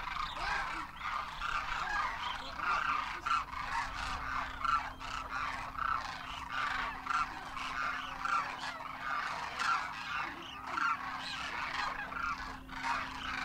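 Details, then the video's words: Massed Demoiselle Cranes in winter in Rajasthan, India, juveniles accompanying adults, taking to the air; continuous rolling, croaking trumpet calls from a large flock, pulsing in intensity, with a steady low hum throughout. "Demoiselle Cranes darken the sky, trumpeting in flight"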